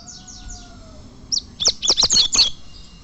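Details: Fibra-tournament champion coleiro (Double-collared seedeater): a quick series of five or six harsh, high chips, preceded by faint descending buzzy notes from another bird. A soft steady tone sounds in the background.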